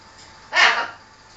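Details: A pet macaw arguing with its owner gives one loud, harsh, broadband squawk lasting about a third of a second, with the owner's scolding voice before and after.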